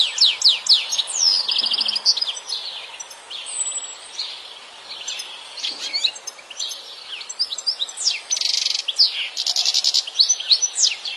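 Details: European goldfinch in the wild delivering a long, rapid twittering song of liquid chirps, sharp upward flicks and a few buzzy trills, continuing in bursts with short pauses, with faint background hum.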